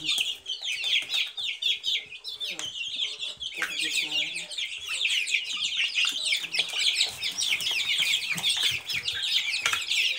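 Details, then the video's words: A long, unbroken chorus of Silkie chicks, high thin cheeps crowding together at a steady, lively pace. "Цыплята шелковые"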